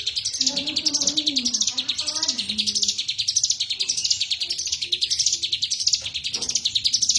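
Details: Cigun in lively full song, a dense stream of shrill chirping notes rising and falling in rolling waves, while soft low murmuring tones sound in the background during the first seconds.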